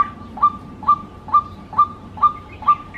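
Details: White-breasted waterhen, a recording used as a lure: evenly spaced, clear single hoots repeating roughly every half second, with a faint higher twitter near the end.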